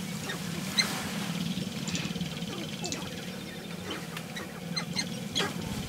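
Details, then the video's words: Sharp-tailed grouse performing a mating dance in the early morning of May 5, 2019; a steady low rapid rattling runs throughout, broken by short clicks, snaps and brief high chirps. "Sharp Tailed Grouse Mating Dance 2019"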